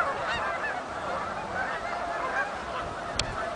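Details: A big flock of Canada geese arriving at Oak Hammock Marsh and Fort Whyte, producing an unbroken carpet of honks, with one sharp click near 3.2 seconds.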